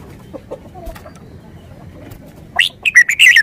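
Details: A short burst from a red-whiskered bulbul: about five clear, liquid whistled notes in fast succession, the last ones run together, after a quiet stretch with a few faint soft notes.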